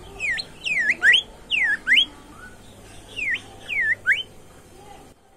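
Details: Varied whistled song of a bimoli in full voice: looping notes that fall then rise steeply, delivered in phrases of two or three with short pauses between, clear and ringing.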